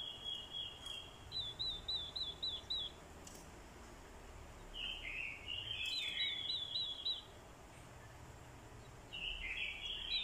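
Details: Decoy orange-headed thrush, with a female's calls used to stir males into fighting song: high, sharp repeated notes in quick runs alternate with warbled, slurred phrases dropping and rising, over a low steady rural hum.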